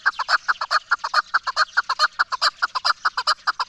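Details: Chukar partridge, Pakistan's national bird, giving a fast, steady run of clucking chuk notes, roughly eight a second, sustained throughout without pause.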